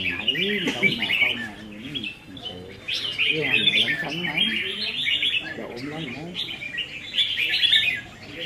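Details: Singing-contest practice for caged red-whiskered bulbuls on 15 May 2021: phrases of chirpy warbling come in several bursts, overlapping with people talking in the background.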